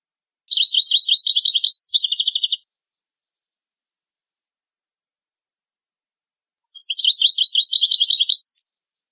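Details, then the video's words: European goldfinch in a recording meant to teach goldfinch and hybrid chicks to sing: two separate two-second bursts of fast, rattling, zigzag trills, high and metallic, divided by about four seconds of silence. "هدية 2 لعشاق الطيور لتعليم فراخ الحسون Gift 2 for bird lovers to teach goldfinch and hybrid chicks"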